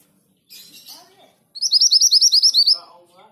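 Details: Orange minivet singing: a rapid burst of about ten bright, high, upslurred whistled notes after a quieter, scratchy twittering phrase, with faint lower chirps following.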